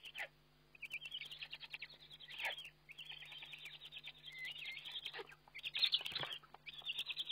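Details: Eurasian eagle-owl during a webcam-recorded feeding on 29 May 2011, uttering a long run of overlapping high, wavering calls, some rising and falling, mixed with knocks and rustling.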